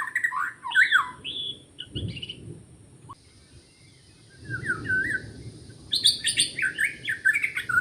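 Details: Wild forest white-rumped shama song recorded during trapping: warbled whistled phrases, a quiet gap with low noise, then bright, rapid, high, tumbling notes.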